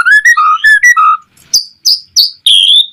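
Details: White-rumped shama song used as a lure for other shamas: several full, mellow whistled notes at varied pitches, then a few short sharp high calls and one long level whistle.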